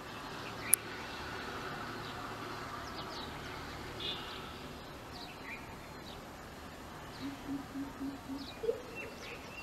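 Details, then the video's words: A greater coucal (crow pheasant) in India, a bird of urban and suburban areas, gives a short run of five deep, evenly spaced hoots near the end, over a steady hiss with faint high chirps from other birds. "The greater coucal bird calling | Crow pheasant bird sound | Kembootha bird sound"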